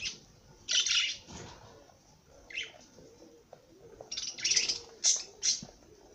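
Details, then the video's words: A singing parrot gives loud, scratchy warbled bursts and clipped high chirps, spaced irregularly with quiet pauses and some faint rustling between them. "Popagai sing -song madár ének"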